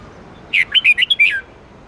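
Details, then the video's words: Twisting '8-9-10 note' song of a red-whiskered bulbul, used as a daily training song for bulbuls. A single lively phrase of about six whistled notes ends in a falling slur, with faint hiss behind it. "Luyện giọng chào mào hót âm 8-9-10 xoắn tít cực hay"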